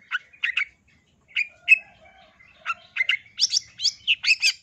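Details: Female long-tailed shrike (cendet) calling the male, in the wild: sharp chirped notes in pairs and clusters, a faint low warble beneath, building to a fast series of scratchy, squeaky high notes.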